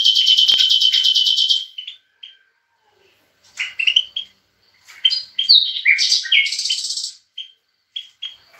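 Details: Singing European goldfinch opens with a long, buzzy, rapidly pulsed trill, then gives scattered chirps and a tumbling jumble of liquid twitters and short buzzy phrases.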